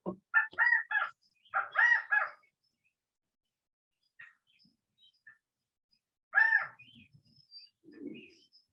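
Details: California quail (Callipepla californica) giving its loud three-note "chi-ca-go" call twice in quick succession, then once more after a pause; faint chips from other birds in the background.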